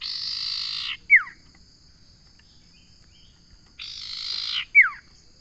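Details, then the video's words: Common iora song: a dense buzzy trill about one second long, closed by a sharp downslurred note, repeated twice with a quiet pause of nearly three seconds between phrases. "Suara burung sirtu/ Suara burung Cipo/ Suara burung Cipow/ Suara burung cipoh"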